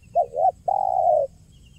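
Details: Spotted dove calling in the 'kuk 1' lure style: a quick double coo followed after a short gap by a single long, even, slightly falling coo. No other clear sounds.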